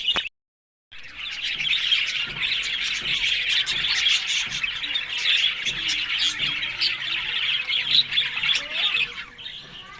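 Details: Budgerigars chattering in the morning as they eat green food, Larkana, Sindh; after a brief silent gap at the start, a steady wall of high twittering and chirping from many birds continues to the end.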